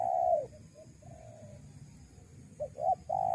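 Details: Lure call of a spotted dove used to draw in wild doves. A drawn-out falling coo is followed by quiet short notes, then two quick hooked notes and another long, smooth coo begins, over soft background rumble.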